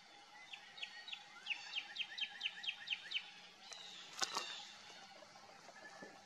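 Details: Northern cardinal at Fay Lake Road Trail, Watkins Lake State Park, Jackson County, Michigan, 27 January 2024 at 11:09, gives a quick run of about a dozen clear, down-slurred whistles, roughly four a second, then a brief sharp knock and faint background hiss.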